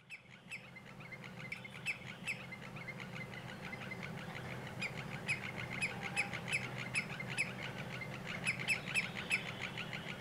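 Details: Male common greenshank calling during a courtship dance in front of its partner before mating, about an hour before sunset. Quick, evenly repeated sharp notes come in bursts. A sawmill about 50 metres away adds a constant low mechanical hum.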